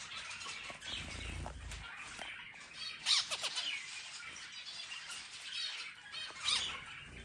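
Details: A zebra finch (Taeniopygia guttata) sings while eating, giving harsh, buzzy, nasal notes mixed with soft high chatter.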